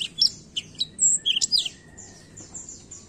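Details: Short burst of high, sharp black-throat chirps and whistles over the first half, then fading to soft faint notes.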